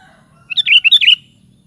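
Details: Sooty-headed bulbul (kutilang) in full voice: a fast cluster of about six bubbly whistled notes, preceded by a faint thin tonal sound, over soft background hum.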